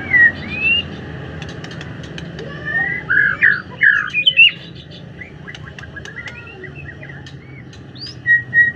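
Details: White-rumped shama in the afternoon: varied whistled phrases, rising slurs and short squeaky notes, with sharp chirps and clicks between and background hum.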